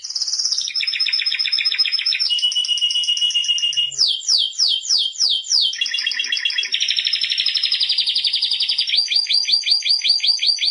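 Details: Timbrado canary (Serinus canaria) song made of changing tours: rolling trills, a steady flat trill, a run of sharp descending sweeps, then further pulsed and buzzy trills, all without break.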